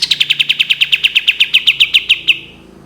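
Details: Long 'tembakan' burst from a cream-vented bulbul: about twenty bright, clipped notes fired quickly at a steady pace, each a sharp high chip, trailing off after two and a half seconds.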